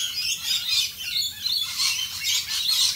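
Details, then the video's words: Rainbow lorikeets in Australia calling in the rain: dense shrill screechy chatter overlapping continuously, several birds at once, with a steady hiss of rainfall beneath. "Australian Rainbow Lorikeets Singing in the rain."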